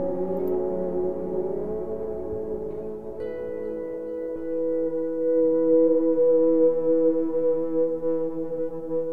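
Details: Sustained ambient music of layered, droning tones like a singing bowl or soft horn, with no animal voice.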